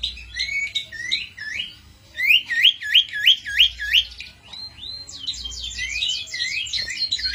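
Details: Cito bird singing, a recording meant as a lure or master song for training songbirds: bright, high chirps and a fast series of rising whistled notes roughly three per second, ending in a dense twittering trill.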